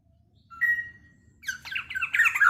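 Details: An energetic black-naped oriole, whose voice reportedly provokes rival orioles, gives a thin level whistle, a pause, then a loud series of harsh, buzzy, descending squawks repeated rapidly.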